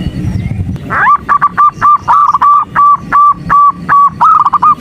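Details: A female zebra dove calling its male in the morning to provoke him: brief low noise, then a swift sliding onset into a long regular train of nasal hoots, roughly three each second.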